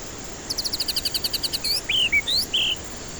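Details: White-rumped shama song used to lure stressed birds that refuse to sing: a steady rapid series of about a dozen high sharp notes followed by loud buzzy and slurred whistled notes, over light hiss.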